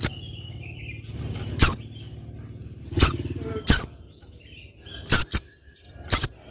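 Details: Female spiderhunter calling the male, giving short piercing high-pitched notes, some in quick pairs, spaced irregularly about every second, with faint low hum and a few soft chirps between.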